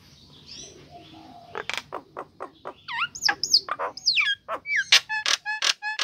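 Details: Female Nias hill myna calling the male, used as a lure to prompt silent birds to sing: a quiet start, then loud sharp clicks and looping whistled notes that rise and fall, ending in bright harmonic whistles.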